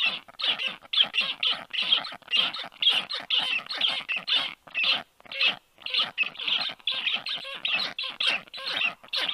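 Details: Black stork chicks in the nest, 4 July 2022 at 1:30 p.m., begging briefly toward a stranger stork perched above; long series of coarse, hoarse rasping squawks, about two per second, with short pauses.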